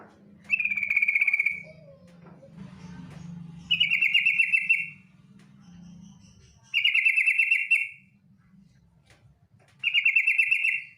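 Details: Female yellow-vented bulbul giving a 'ngetir' lure call, used to coax other bulbuls into singing: four dense, buzzy trilled bursts near one pitch, each under a second, separated by pauses, over a faint low hum.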